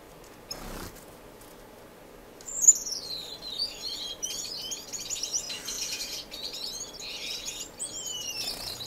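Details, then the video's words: Finches in an indoor community aviary in Edmonton, Canada, March 26, 2015; after a quiet start a loud high descending whistle, then rapid twittering chatter from several birds and a final falling whistle. "Finch Diaries - Twenty Relaxing Finch Minutes"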